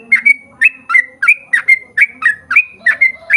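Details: Rapid sooty-headed bulbul song played as a lure for the same species: chirpy notes dropping then flattening into short whistles, over three per second, with a faint low hum underneath.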